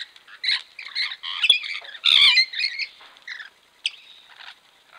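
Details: Wild Rainbow lorikeets (Trichoglossus moluccanus) bathing, recorded by a camera trap: a run of loud, harsh, screeching squawks and chattering calls in quick succession, with splashing noises among them.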